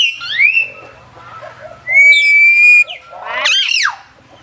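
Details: Common hill myna kept at Phnom Tamao Zoo, Cambodia, known to talk. A rising whistled slur, then a loud, clear, level whistle held for almost a second, then a burst of harsh, warbling harmonic notes, in a quiet setting with faint low buzzing.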